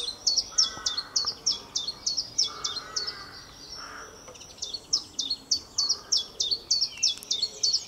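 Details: Common chiffchaff singing in April 2020: a steady string of sharp, high two-pitched notes, about three each second, alternating in a chiff-chaff rhythm, with a short pause midway before the series resumes.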